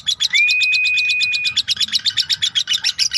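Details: Lovebird giving its "ngekek" chattering, a long-duration song used to tutor songbirds: quick, buzzy, evenly repeated notes, with one rising whistle that holds a level tone for about a second over the chatter.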